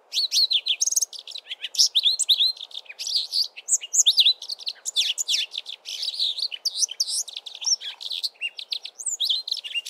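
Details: Brimstone Canary male in early spring, perched at the top of a tree, pouring out a continuous melodious warble of quick rising and falling whistles, chirps and buzzy trills without a break.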